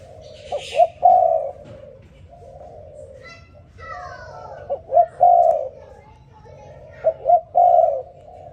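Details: Spotted dove calling in the morning, three-part coo phrases repeated about every two to three seconds, each two quick notes and a long low coo, with a brief voice-like sound in the background.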